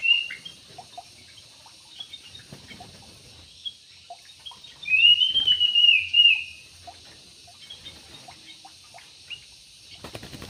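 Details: Yellow-vented bulbul kept in an aviary: after faint scattered chirps, one clear chortling phrase of rolling notes that rises then dips, lasting just over a second.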